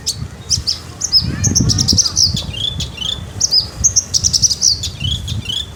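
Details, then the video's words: Javan bush lark in full, rolling song: dense run of high whistles, sweeping slurs and rapid trilled chips, barely pausing, with low rumbling background noise. "branjangan javanica gacor dorr ngleper"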